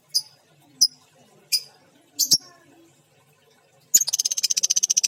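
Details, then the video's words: Female lovebird with an injured beak: four sharp, high, isolated chirps spaced under a second apart, a doubled chirp, then a rapid regular series of high chattering notes, about twelve per second, ending the recording. "Suara Burung Lovebird Betina - Paruh Terluka"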